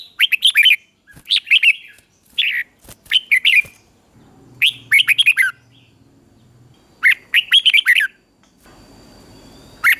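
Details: Red-whiskered bulbul, kept for morning singing training, giving short bursts of bright, warbling notes in quick clusters roughly every second or two, with a low hum audible in the pauses.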